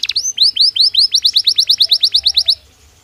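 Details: A Belgian canary repeats a bright rising-then-falling slurred note about five times per second for two and a half seconds, the series then stopping into quiet.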